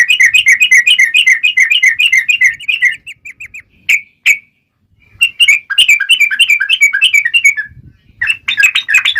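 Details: Rapid chattering song of a yellow-vented bulbul, 'trucukan gacor' lure meant to make other bulbuls reply: a quick burst of bright repeated whistles, a short pause with two sharp notes, then the fast chatter resumes.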